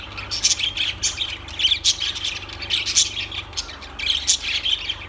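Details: Lovebirds give sharp, shrill squawks in short bursts about every half second, with rasping high notes and lighter chirps between, over a faint steady hum.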